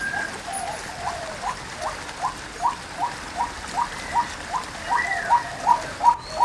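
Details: A female White-breasted waterhen gives a steady, evenly spaced series of short, clipped notes, about three per second, growing louder toward the end, with a constant hissing background.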